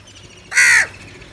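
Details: A single crow gives one loud, harsh caw of about a third of a second, broad and raspy with a slight downward bend at its end, heard amid crows fighting and calling for food.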